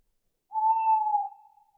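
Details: Nighttime owl hoot: one smooth, level, mid-pitched tone lasting close to a second with a soft trailing fade, no other sounds around it.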